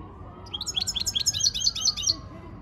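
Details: Goldfinch practising its training song: a quick run of bright, tinkling high notes repeated in a rhythmic twitter for under two seconds, with a faint steady tone in the background.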